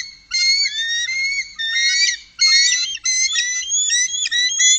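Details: Bald eagles, a group of three, recorded on the upper Mississippi in 2018, give an almost continuous stream of high, thin piping and chittering notes. The notes rise and fall in quick stuttering phrases with brief pauses.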